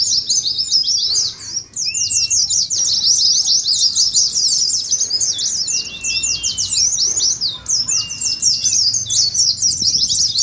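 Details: Wild-type Oriental white-eyes in ngeriwik song for contest practice: long, unbroken rapid high twittering, dipping briefly near two seconds, with a few short slurred whistles underneath.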